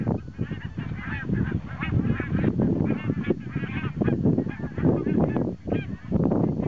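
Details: Thousands of migrating geese resting at Hjälstaviken lake near Stockholm, Sweden, on a very windy 22 September 2009, honk and cackle in a dense, overlapping chorus over strong wind rumble.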